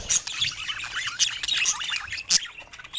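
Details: Pet budgies, several birds, chattering: fast warbled squiggles and rising-falling chirps, with a few sharp high clicks and squeaks standing out.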